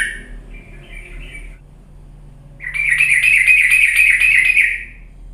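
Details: Sooty-headed bulbul lure song used to make lazy birds start singing. A soft short trill comes first, then after a quiet gap a loud, steady pulsing buzzy trill continues for about two seconds.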